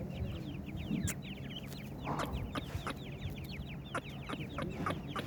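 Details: Partridge chicks peep continuously in thin, falling notes, overlapping in a lively chatter, with occasional sharp clicks and a low hum beneath.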